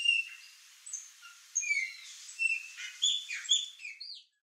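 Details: A chopi blackbird flock feeding on fruit in a yard: scattered high whistles and short downslurred chirps, overlapping liquid phrases, ending in sudden quiet.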